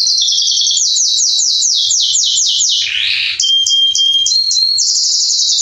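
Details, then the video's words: Male Belgian canary (Salsa) singing strongly to warm up other canaries: a series of fast descending swooping notes, a brief harsh buzzy burst, clear high whistles, then a steady high trill. "Canário Belga Salsa macho cantando - Esquente seu canário belga em 30 minutos"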